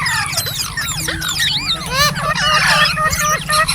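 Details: Green parrots chattering with looping whistled notes and arcing squawks in rapid succession over a steady low hum.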